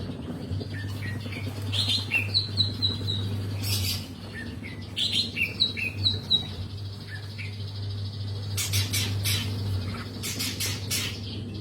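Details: Long-tailed shrike singing actively: scattered short squeaky whistles and chirps, some sliding notes, with harsh broadband bursts near the start and later in quick clusters, over a steady low electrical hum.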